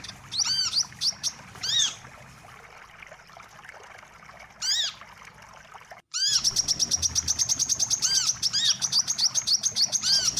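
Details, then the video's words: Wiceh bird lure for trapping: scattered arched whistles and short chirp bursts with quiet gaps, then after a brief cut a fast, steady series of high chirps with occasional curved notes. "suara pikat burung wiceh"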